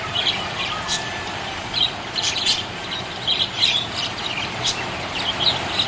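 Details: Budgerigar described as happy, giving bright high chirps in loose bursts, some doubled or tripled, with brief pauses between, set against constant low rushing noise.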